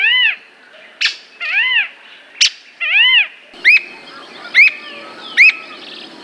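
Squirrel cuckoo giving arched, cat-like whistled notes that rise and fall, alternating with sharp, high chips about once a second.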